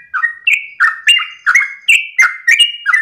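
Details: Sooty-headed bulbul singing at dawn in the early morning, a long rolling song: loud mellow whistled phrases, each a low note jumping to a higher held note, repeated about every third of a second with no pause.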